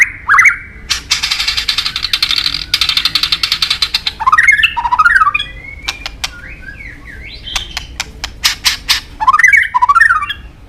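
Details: White-rumped shama (murai batu), Medan type, singing in full voice with a rich mimicked repertoire: rapid upward-sweeping whistles, a long buzzy rasp, sharp clicking notes and warbled phrases, tumbling and varied.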